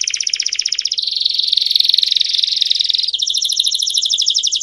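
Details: Long campainha song of a canary for teaching young birds: a pulsed high trill, then a dense rolling buzz lasting two seconds, then a return to crisp, evenly repeated trilled notes.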